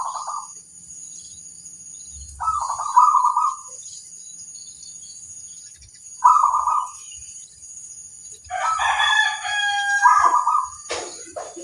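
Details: Local zebra dove cooing as a master recording meant to make other doves answer; soft trilled coos near one kilohertz, repeated a few times with pauses, ending in a longer overlapping phrase, steady high electrical hiss behind.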